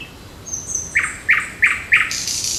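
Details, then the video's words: Birds singing on a June 8 morning in a park and forest: a faint high whistle, then four short chirped notes repeated about every third of a second, ending in a bright high rushing trill. "Пение птиц утром в парке и в лесу"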